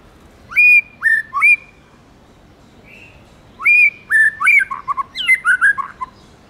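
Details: Forest-style song of a tame white-rumped shama: three loud whistled phrases, a soft note, then a rich rapid sequence of rising whistles, trills and sharp chips, high and clear.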